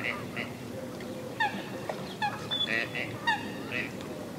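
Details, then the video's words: Western swamphen (Porphyrio porphyrio) in a wetland in Spain or Portugal, giving nasal, honking calls in short overlapping bursts, some notes bending sharply downward, repeated every second or so over a low background hiss. "TALÈVE Sultane/Porphyrio porphyrio"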